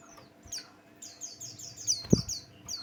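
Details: Lure song of a Buxtoni white-eye, meant to draw other birds into singing: a string of thin, high descending whistles, joined midway by a single dull thump, with a faint hum behind.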